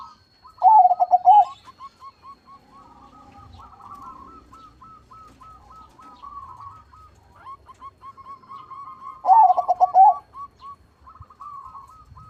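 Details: Zebra dove (perkutut), crossing bloodline with a large voice: two loud stuttering coo bursts about eight seconds apart, surrounded by long runs of fainter repeated trilled coos from neighbouring doves.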